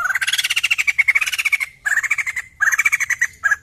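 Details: White-crested laughingthrush, used to get other birds to sing, giving a fast run of rough, buzzy chattering notes rising slightly, repeated in three bursts separated by short pauses.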